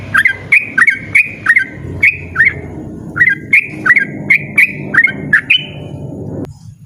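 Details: Yellow-vented bulbul singing a loud, persistent ropel-style song: short bright bubbly notes with sharp clicks, delivered in quick pairs and triplets about every half second, with a low rumbling background hum.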